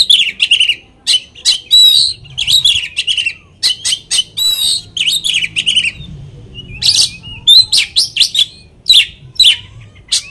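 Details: Lure song of an Oriental magpie-robin, meant to agitate rival magpie-robins: a dense, fast stream of harsh, scratchy notes mixed with brief bright whistles, with almost no gaps.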